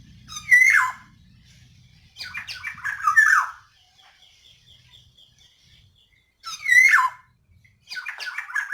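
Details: Female black-naped oriole calling, used as a lure to get reluctant males to sing; loud, harsh nasal squawks with rich overtones, given in bursts about every two to three seconds, with faint low background hum.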